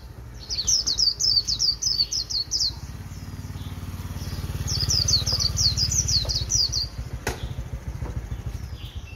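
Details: Red-whiskered bulbul, a neighbour's bird said to sing all day, giving two bursts of rapid, bright, repeated chirpy notes in quick runs, with a steady low engine rumble underneath throughout.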